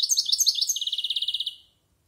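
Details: Singing European goldfinch, a bird in its first year practising its varied song, delivers a few slurred twittering notes followed by a fast, even trill of about a dozen buzzy repeated notes, ending abruptly into silence.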